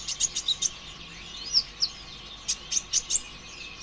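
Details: Brown-throated sunbird singing nonstop in rapid 'tembakan' bursts as a lure to make other sunbirds sing: bright, very high, clipped chirps repeated at an uneven quick pace, with thin sliding whistles between them.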